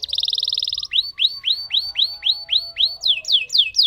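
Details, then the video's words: Lemon canary in a long roll, opening with a rapid rattling trill, then a steady run of rising whistled notes about four per second, ending in falling slurs. "Burung Kenari Lemon Gacor Ngerol Panjang"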